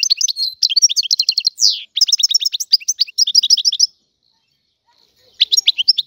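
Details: European goldfinch from Algeria, a free bird, singing liquid twittering phrases with a buzzy sweep and trilled runs for about four seconds, then silence before a short burst resumes.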